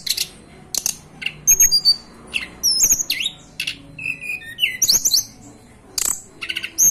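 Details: Hill blue flycatcher from the Banten and West Java mountains, Indonesia, giving a varied, rapid string of high whistles, short slurred notes and dry clicks, with brief pauses between bursts.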